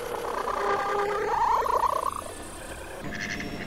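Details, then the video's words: Mallards, including males, females and hybrids, in the Brière marshes recorded from a boat: low, nasal quacking chatter breaking into quick pulses about four a second, then a brief hiss. "CANARDS Colverts/Hybride/Mâle/Femelle ! BRUITX"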